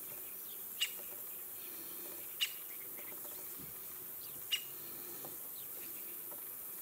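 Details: Syrian woodpecker in the Sarmatskaya river valley, Neklinovsky district, Rostov region, Russia, gives three sharp, high 'kik' notes about two seconds apart over a soft hiss of distant birds and insects.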